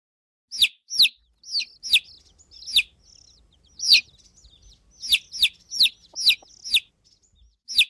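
Chicks give high, sharp downward peeps, about a dozen in eight seconds at an uneven pace, with faint low rustling between calls.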